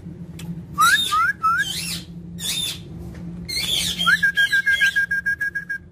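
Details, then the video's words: Indian ringneck parakeet calling: a few rising whistled squawks, then harsh chatter and a rapid stuttering run of short even notes; faint low hum throughout. "Ringneck parrot taking Natural Sound"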